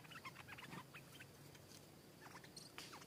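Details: Stripe-throated bulbul from the wild answering a caged bird before attacking it. A quick burst of liquid chirping notes opens the clip, then sparser bright notes, over a low steady hum.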